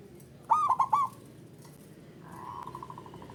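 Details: Zebra dove male calling, meant to stir mating drive in a bird that calls little: one phrase of four rolling coos, then a faint, rapid, pulsed trill of soft notes.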